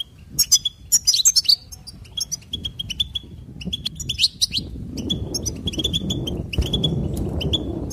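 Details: Goldfinch twittering song of quick high chirps and tinkling trills in a steady stream, while a low rumbling background noise grows louder in the second half.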